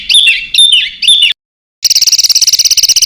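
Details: Songbird master recording of dense fill phrases for contest birds: three warbled, slurred whistle phrases, a brief silence, then a rapid, even, buzzy high rattle.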